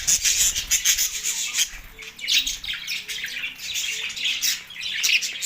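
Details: Budgerigars said to be going crazy with mating, Larkana, Sindh, March 9, 2024; raspy, scratchy chatter and high chirps fill the recording, with faint low whistled notes between bursts.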